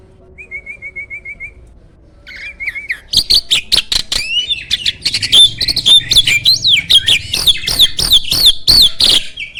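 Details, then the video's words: Champion starling, used as a master for training contest songbirds, noted for a loud voice: a soft wavering whistle, then a burst of loud rapid clicks, harsh chatters and high sliding whistles. "MASTERAN BURUNG JALAK SANG JUARA!!"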